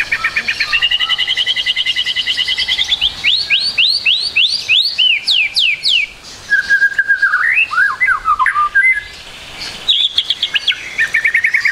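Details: White-rumped shama, a trotol bird on a training recording: a long buzzy trill, then loud sweeping whistles that rise steeply in a rapid series, a short pause, and lower warbled notes before the trill resumes.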